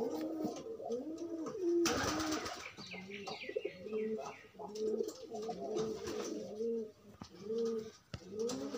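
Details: Loose pigeons pairing up in courtship give low, rolling coos that rise and fall in arcs, repeated steadily through the clip, with a burst of broadband rustling or flapping near the two-second mark and soft chirps behind.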